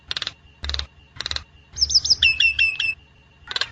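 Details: Nias hill myna song intended as master material or trapping lure: spaced harsh broadband bursts around a tight run of high twisting whistles.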